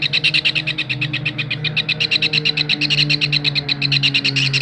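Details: Kingfisher calling as a tutor for songbirds: rapid, ringing high notes in an uneven rattle, growing louder at the close, over a steady low mechanical hum.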